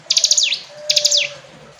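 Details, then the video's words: Two short phrases from a hill prinia, each a quick string of high clicking notes that drops into a falling sweep, with a faint steady hum beneath. "Ciblek gunung istimewa, hitungan detik dijamin langsung bunyi ‼️ jernih"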